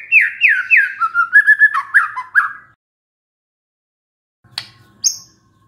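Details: White-rumped shama reacting to a lure recording: a run of falling whistled notes and short slurs, then silence broken by a faint click and one high note.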